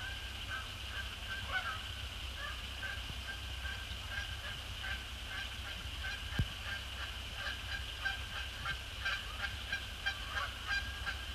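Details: A flock of wild Canada Geese, resident and migrant, flying across the dusk sky to land on Sapsucker Woods Pond, December 2017. Many overlapping honks that thicken toward the end, over a steady high hiss.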